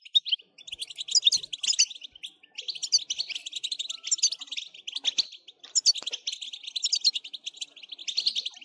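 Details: Fast, liquid song of a European goldfinch, made of chattering chirps and tinkling trills in near-continuous phrases with short breaks.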